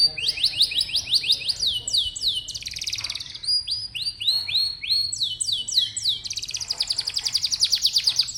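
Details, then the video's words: Canary song used as a tutor recording to prompt young or seldom-singing canaries and to train other birds: fast, high trills of repeated descending whistled notes, changing phrase every second or two, sweet and continuous with brief rolling bursts. "Suara burung kenari bikin hati senang, dan masteran burung kenari muda dan jarang bunyi"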